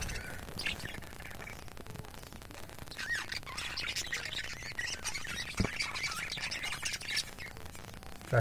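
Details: Budgerigars in a captive colony of 20 pairs with eggs and chicks chatter together in a busy flock of warbling, squawky chirps, while a man speaks.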